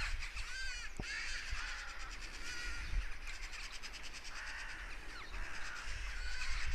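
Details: Several crows keep up harsh, grating caws, reacting to an apparent goshawk hunt; calls come in ragged overlapping bursts, a sharp click near the start, and a constant low background rumble.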